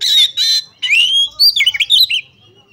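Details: Oriental magpie-robin, a female calling a male to rouse other males; two harsh rasps followed by a rising whistle and a quick twisting flourish of chirped notes.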